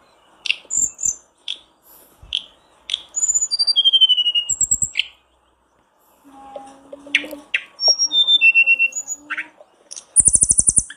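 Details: Lure sounds for kept blue flycatchers: sharp chirps and a descending whistled phrase, a lull with a low hum, more stepping whistles, and a very high rapid trill at the end.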